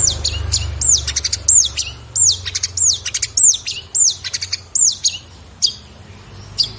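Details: Long-tailed shrike in 2022, song material for training other birds: high, looping whistled phrases repeated roughly every half second with scratchy notes mixed in, then fading into a few isolated thin whistles.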